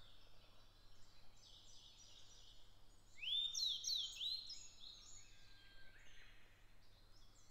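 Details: Grey bunting recorded in Japan: a brief bright phrase of sweeping whistled notes, rising then dropping, lasting just over a second, set among softer, more distant chirps from other birds before and after.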